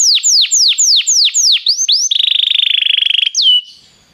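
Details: Singing Belgian canary, played to warm up a canary: a string of downward-sweeping whistles about four per second, a fast buzzing rattle over a second long, then one falling whistle before fading.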